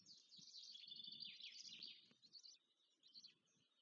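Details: Nestling black storks beg during feeding at a nest near Łódź, Poland, 14 May 2023. A dense, high, wheezy chatter runs without a break for two seconds, then thins into brief squeaky bursts.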